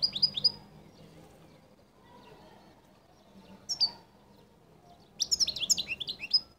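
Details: European goldfinch in distinctive qall-style song: a few high chirps open, a lone sharp note follows, then a fast, liquid twittering run of rapid descending notes closes the phrase.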